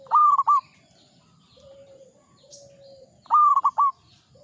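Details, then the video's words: Zebra dove of local stock singing in the ngepat Mataram rhythm: two matching phrases about three seconds apart. Each is a bright coo broken into quick pulses, with soft low hums in the gap between. "Perkutut lokal gacor IRAMA NGEPAT MATARAM"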